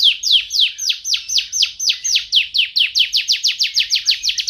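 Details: Canary singing a rapid rolling trill of downward-sweeping whistled notes, about four to five per second, loud and clean with no other sounds.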